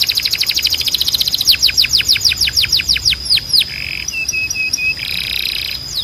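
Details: Canary of the Timbrado breed singing a training song: fast rolled trill giving way to slower repeated descending swept notes, then short low warbled notes, over a constant thin high whistle.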